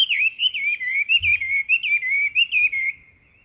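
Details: Chinese hwamei singing in a spring forest at Ikuta Ryokuchi, Kawasaki, Kanagawa, Japan, on 26 April 2026, recorded on a camera: loud, rich whistled phrases wavering up and down, delivered in quick repeated bursts for about three seconds, then silence.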